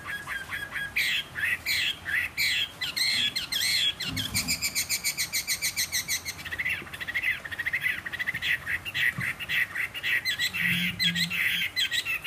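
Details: Caged wild-caught Chinese hwamei, a fighting bird kept three seasons, singing on a table with a slightly hoarse voice: a rich, continuous run of rapid varied phrases, fast trills and clipped repeated notes pouring on for twelve seconds without pause.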